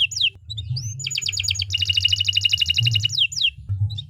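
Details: Canary singing a long song to train other birds: descending sweeps, a rising whistle, then a long rapid trill of high doubled notes, ending with more falling sweeps, over a low hum.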